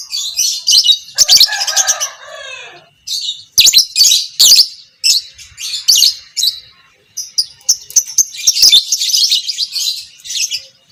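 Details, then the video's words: Fighter lovebird, pastel creamino, chattering long as a master recording for training other lovebirds; continuous high shrill chatter with sharp clicks and one lower buzzy descending phrase near the start. "Masteran Burung Lovebird Fighter Ngekek panjang - Suara Burung lovebird biola pb creamino"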